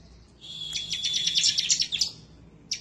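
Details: Bar-winged prinia (ciblek semi) singing excitedly in a gacor, nembak ngebren style, seeking a rival, used as masteran to prompt birds to sing: a high, rapid twittering burst of scratchy notes, then a brief pause and a short final phrase.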